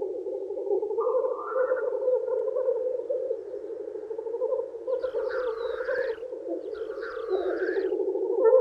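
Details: In spring, male black grouse lek to woo females, keeping up a constant low bubbling chorus; two short bursts of higher rushing calls break through near the end.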